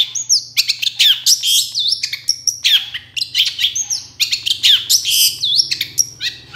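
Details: Long-tailed shrike song used as a lure to draw replies from other shrikes: a continuous, varied stream of chirps, whistled slurs and buzzy notes, rising and falling quickly, over a low hum.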